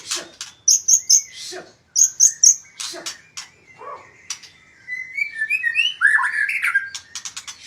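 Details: Magpie-robin singing: sharp high chirps and short bright whistled notes in quick bursts, then a run of lower warbling, rising and falling whistles toward the end.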